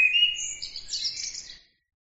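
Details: Brief burst of bird song: a high thin whistle runs into scratchy twittering and fine buzzy trills, fading out after under two seconds.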